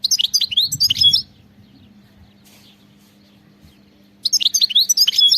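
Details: European goldfinch, wild-style (khalawi) song: a short phrase of bright, fast twittering notes, a long near-silent gap with a low hum and soft rustle, then another lively twittering phrase.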